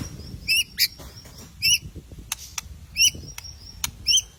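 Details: White-rumped shama (murai batu) song used as a lure to provoke another bird into singing, Indonesia: short bright two-tone whistled notes repeated about once a second, with sharp clicks in between.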